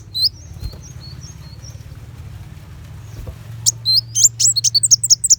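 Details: Sunbird song used to tutor white-rumped shama: a few faint, thin high notes early, a long quiet stretch with low hum, then a fast burst of sharp, high chirps.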